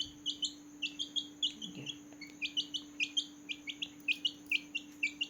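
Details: Quiet, irregular peeping from a group of newborn chicks at night, short high chirps overlapping in a loose chorus over background hiss and a constant hum.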